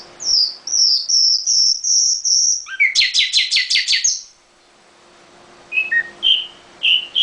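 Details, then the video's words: Nightingale singing from a cage: a series of high, thin whistles, then a rapid volley of about seven dry clicking notes, followed after a pause by scattered soft chirps. "Nightingale singing in the cage"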